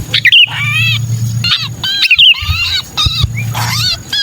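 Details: Sooty-headed bulbul giving distress calls as if trapped, used as a lure to draw down wary bulbuls: harsh, raspy, harmonic squawks in quick bursts with a few sharp wavering notes, over a steady low hum.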